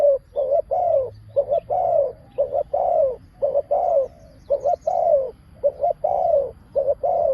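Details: Spotted dove used as a decoy to lure wild doves, giving low cooing calls around 600 in repeated short-then-long pairs, roughly one phrase per second, with faint rural background noise.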